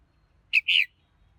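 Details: Red-whiskered bulbul singing: a short bright note followed at once by a longer, fuller whistled note, both high-pitched, forming one quick two-part phrase against a quiet background.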